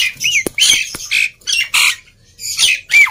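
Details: Black-winged myna singing in short phrases, to coax quiet birds into song; separate harsh squawks and grating notes mixed with clear slurred whistles, including a falling whistle at the end.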